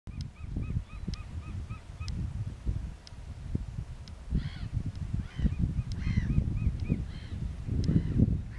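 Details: White-tailed eagles, four birds in total, calling in flight at Beninger Slikken on 4 October 2018. They flew in calmly from the east at short intervals and were probably in their second or third year. Short yelping notes come in even series over heavy wind rumble.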